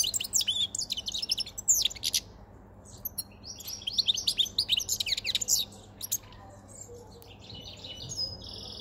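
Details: White-chinned male European goldfinch, caught five months before and kept in a cage, singing as spring and breeding condition approach: fast liquid twitters and tinkling trills, some buzzy phrases, with quieter pauses between bursts.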